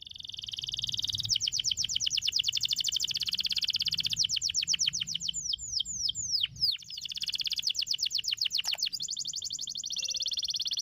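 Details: Canary song used to train canaries to sing: long, unbroken rapid trills of fast repeated notes shifting in speed, a few falling swooping whistles midway, running the whole recording without pause.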